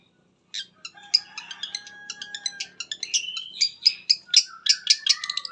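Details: Lure song of a long-tailed shrike, meant to set other shrikes singing, rich in varied material: after a half-second of silence, a fast, dense stream of high chips, trills and thin sustained whistles builds steadily louder.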